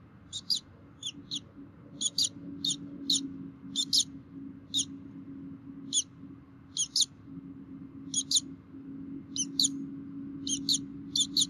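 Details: Bald eagles at a Minnesota nest camera on 3 May 2016, with both parents feeding the young: shrill, high chittering notes, often paired, repeat steadily about once a second over a low background hum.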